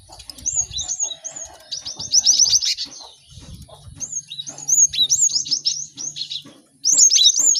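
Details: Many caged cinereous tits sing together to help other birds learn songs fast: high downslurred whistles and dense rattling chirp series overlapping, with a faint low drone in the background.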